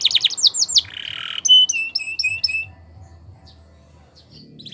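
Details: Singing canary for training, possibly Spanish Timbrado style: quick loud sweeps and a short harsh buzz, then a series of clear whistled notes each ending in a drop, fading to near silence.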